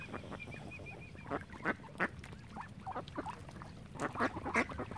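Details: Ducks on Lough Neagh at Oxford Island, Ireland, give harsh, nasal quacks in quick irregular succession. At the start, a high, thin note repeats in a short run of arched chirps.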